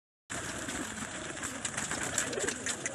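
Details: Pigeons kept in a loft, a dense wash of overlapping calls from many birds with soft low cooing underneath and constant rustling and wing noise throughout.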